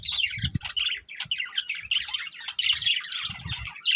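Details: Breeding pair of budgerigars chirping busily: continuous scratchy warbling and squeaky tweets with whistled notes, accompanied by low thumps and rustling.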